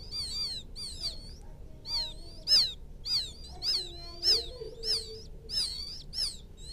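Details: Field quail chick calling its mother: evenly spaced, high, falling peeps about every half second, with faint lower tonal sounds mixed in midway.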